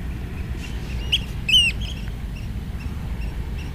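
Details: Oystercatcher on a beach by a lighthouse in the morning, giving a short sharp note, then a loud, piercing, downslurred 'kleep', over a steady low rumble of surf or wind.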